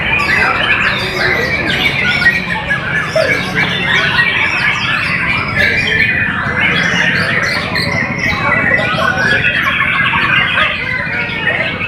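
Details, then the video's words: White-rumped shama song: a dense, continuous stream of varied whistles, chatters and quick slurred notes, mostly mid to high pitched, with overlapping phrases and a steady low background hum throughout. "MURAI BATU"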